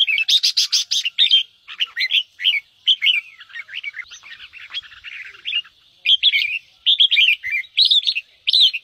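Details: Red-whiskered bulbul in the fast 'ché' style meant to fire up other birds: it opens with a harsh, buzzy repeated burst, then continues with a long string of rapid, rolling whistled notes and short warbles.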